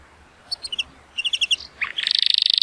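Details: Singing male Timbrado Español canary, show-rated at 83 points and hatched in 2018, on a sunny day: a few spaced chirping notes in two short groups, a brief drop, then a rapid ringing trill.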